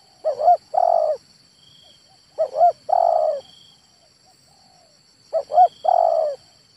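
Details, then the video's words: Male spotted dove repeating its coo phrase three times, roughly every two and a half seconds, each a quick double note then a longer buzzy coo; quiet background with faint high hum. "SUARA TEKUKUR JANTAN"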